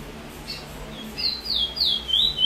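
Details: Trinidad bullfinch (chestnut-bellied seed finch) singing the chee chor weet sweet roll song style, recorded 22/06/20: after a quiet start, a run of high, slurred whistles that swoop downward and repeat quickly.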